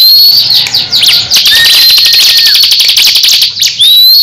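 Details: Caged crescent-chested babbler matching a rival ciblek in a song duel; fast chattering ticks under drawn-out whistles, one rising sharply at the end.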